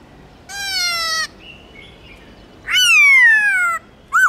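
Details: Black-throated laughingthrush vocalizing for pet-bird singing practice: a long, drawn, slightly falling nasal note, soft chirps, then a loud long slurred descending note and a short final burst.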